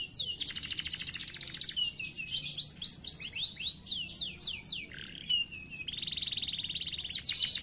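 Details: Canary song: long buzzy rolling trills alternate with series of rising whistled sweeps and sharp repeated notes, high-pitched and continuous.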